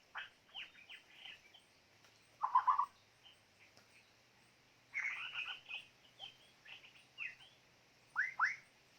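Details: White-rumped shama, used as a decoy bird, singing faint, varied whistled phrases with quick slurred notes and short bursts, separated by brief pauses; low background hum.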